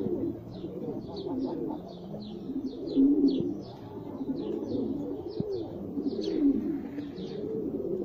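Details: Jafari pigeon, said to be the world's smallest kind of pigeon. Deep, rolling coos swell and fade in slow waves, while many short, high twittering notes from other birds run across the background.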